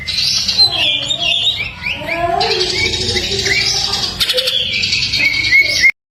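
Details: Greater green leafbird, full varied song for song-training: dense, continuous warbling with slurred whistles rising and falling, mimicking-like twitters and a short harsh burst near the end, over a faint low hum.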